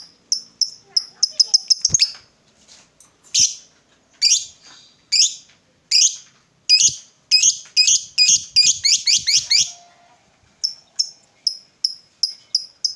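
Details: Lovebird chirping, from a recording meant to stir silent lovebirds into long ngekek song: a short run of high chirps, then spaced harsh squeaky bursts, a quick clustered sequence, and more evenly spaced thin chirps.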